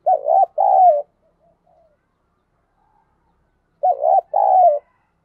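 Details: Spotted dove used as decoy to attract wild doves, delivering two identical loud phrases about four seconds apart, each a quavering arched coo followed by a longer drawn coo.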